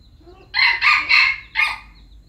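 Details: Red junglefowl from Aceh, an F1 lure bird, crowing: four loud, harsh, rasping bursts in quick succession, the third longest, the last slightly separated, over a faint steady high-pitched whine in the background.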